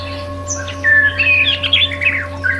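White-rumped shama giving a quick run of varied whistles and harsh, squeaky notes, mid to high pitched, over a steady electrical hum.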